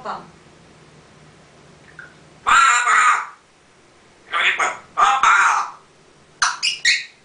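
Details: Pet parrot learning to talk: three bursts of harsh, speech-like squawky syllables, each about a second long, separated by quiet pauses in a small indoor room.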